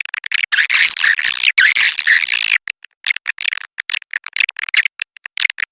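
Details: Swiftlet roosting call: dense buzzy twittering chirps, high and scratchy, in quick overlapping bursts, with short gaps and sharp clicks scattered throughout.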